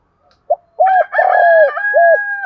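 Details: Spotted dove with field-style voice, used to stir decoy doves into calling; a soft clipped note then low rounded coos and a long drawn note, overlapped throughout by a second, brighter and more ringing cooing voice.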